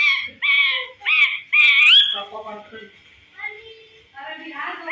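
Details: Talking parrot that mimics a cat's meow and a dog's bark: four loud nasal calls, the last climbing into a shrill upward whine, followed by low murmured chatter.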